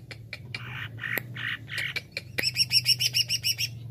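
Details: Greater green leafbird, cucak ijo, gives several harsh buzzy notes followed by a quick, evenly spaced run of bright, high ringing chirps, with a constant low hum underneath.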